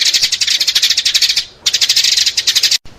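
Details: Lure recording of sparrows: fast, bright chirping in a steady run, broken by a short pause midway and an abrupt cut near the end.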